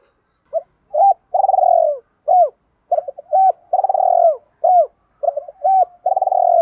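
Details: Spotted dove giving rapid, fast-paced repeated cooing used to train young doves and decoy others. Short hooked notes and long rolling coos alternate, with about four phrases in under seven seconds.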